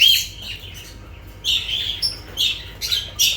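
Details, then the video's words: Lovebirds: a loud shrill shriek opens, then a second of near quiet, followed by a quick string of harsh squawks and sharp chirps with a few thin whistled tones, over a faint low hum. "Sounds of lovebirds"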